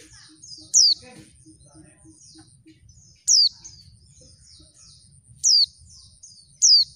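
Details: A female oriental white-eye gives lure calls meant to make males respond and sing fast: four loud, thin, descending whistled notes at uneven intervals of one to two and a half seconds, with softer chirps and a brief rustle between.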